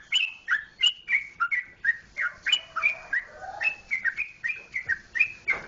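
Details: From Yogyakarta, Indonesia, a sooty-headed bulbul delivers rapid, chattering phrases of bright, slurred whistles, some rising and some falling, packed closely for several seconds; a soft lower murmur appears briefly midway.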